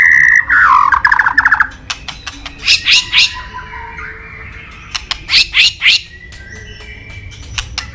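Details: Singing white-rumped shama, much sought by songbird fans: a harsh buzzy trill at the start, then bursts of loud scratchy chattering notes in groups of three or four, with faint whistles behind.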